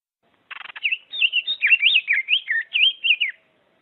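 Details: Diademed tanager song variation opening with a quick dry rattle, then a fluent chain of about a dozen looping, up-and-down whistled notes lasting nearly three seconds.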